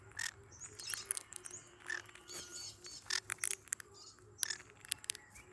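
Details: Pet green-cheeked conures, yellow-sided and cinnamon color forms, give short harsh chirps and squawks in scattered bursts, some clustered and broadband, over a steady low hum.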